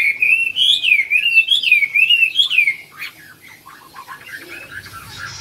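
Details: A caged yellow-billed Chinese hwamei kept at home sings a loud, rich run of wavering, rolling whistled notes for nearly three seconds, then trails into softer scattered chirps and short trills.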